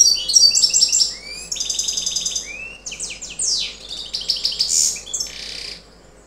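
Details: A young, federation-ringed European goldfinch that has not yet moulted sings a fast, jumbled twitter of high, tinkling notes mixed with buzzy trills and quick slurred whistles, with no pause between phrases.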